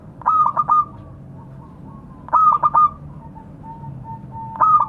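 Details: Local zebra dove calling to its companions: a soft cooing phrase that opens with quick stuttering notes, then trails into longer, lower, even coos. The phrase repeats about every two seconds over faint low background noise.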